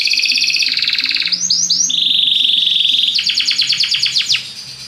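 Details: Belgian canary song, used to stimulate other birds: a loud rolling trill, then a run of rising sweeps, a steady buzzy tour and a fast sequence of descending notes, all high-pitched and continuous.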